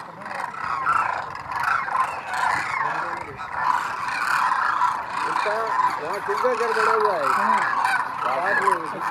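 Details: A large flock of thousands of migratory demoiselle cranes, wintering at a water hole in Khinchan village, Rajasthan, India, while preening, fills the air with overlapping harsh, croaking trumpet calls, with faint human voices underneath.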